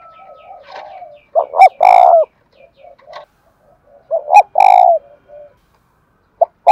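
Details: Spotted dove kept as a cage bird, singing in the đồng thổ voice: two strong phrases of two clipped notes and a drawn-out burring coo, separated by softer, quiet coos.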